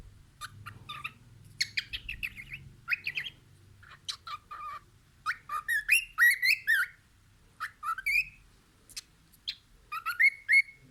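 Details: Cockatiel singing while looking out the window: a busy run of short chirps and clicks building into bursts of twittering whistles, with a few longer rising whistled notes near the end, over a quiet room hum.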